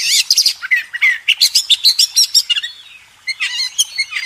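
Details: White-rumped shama master song for contest birds: rapid varied phrases of whistles, chirps and trills, fast and irregular, with a short pause before a final burst of notes.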